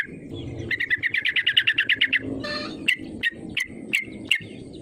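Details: Yellow-vented bulbul calling vigorously as a rival-provoking lure: a rapid string of about fifteen ringing, chattering notes, a short noisy pause, then four or five crisp isolated chirps at steady intervals over faint background hum.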